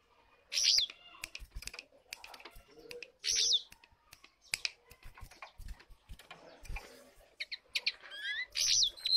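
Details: Lesser shortwing giving short, high, sweeping warbled phrases about every three seconds, with a final run of quick notes, set against frequent sharp clicks and tapping.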